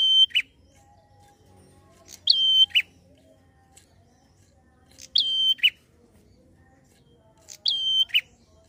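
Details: Prinia in rapid 'ngalun' song style, used to provoke untrained prinias: four whistled phrases at intervals of about two to three seconds, each a sharp high note, a steady flat whistle and a drop to a lower note.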